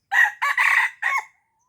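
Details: Red junglefowl from Aceh, a call used to lure wild junglefowl: a short crow in four bursts, a sharp opening note, two longer harsh middle notes, and a final note that bends downward. The background is otherwise silent.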